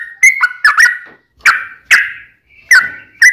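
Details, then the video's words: Sooty-headed bulbul fighting song used to provoke other birds into singing: loud bubbly whistled phrases around two kilohertz, short slurred notes in bursts separated by brief pauses. "KICAU SUARA trucukan gacor TARUNG ROPEL PANJANG"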